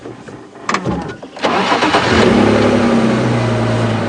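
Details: A car engine starts and then idles and revs steadily on a safari drive, with no animal calling.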